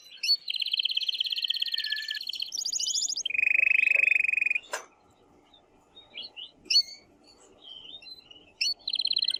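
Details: Strongly singing male canary stirring the female toward mating: a long fast trill, a higher tour, a loud low buzzy roll, scattered chirps, then the fast trill resumes.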